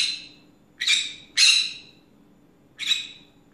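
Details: Pet green-cheeked conure ranting in the afternoon: four grating, buzzy squawks. Two come in quick succession, followed by a gap of over a second before the last loud squawk.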